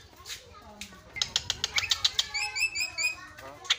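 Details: Javan myna song used as a lure to make other birds sing: loud clicks and sharp chattering notes in quick succession, then a run of short whistled notes repeated about twice a second.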